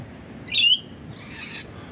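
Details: A Rainbow lorikeet calls from a treetop near the beach dunes at Sandy Beach, Mid-North Coast of New South Wales: one short, shrill, rising screech, then a fainter harsh rasping note, over a quiet background hiss.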